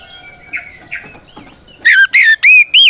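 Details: Oriental magpie-robin fighting song used to provoke other birds: faint soft notes at first, then four loud, clear, curving whistles in quick succession.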